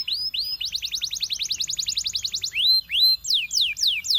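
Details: Belgian canary singing to attract other canaries, with two arched whistles, a rapid rattling trill of upsweeping notes, then loud slow rising and falling whistled slurs.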